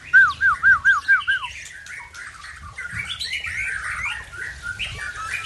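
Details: White-rumped shama from Tangse, Aceh, showing off its learned song repertoire: a row of six clear looping whistled notes, then a fast jumbled run of varied chirps and warbles.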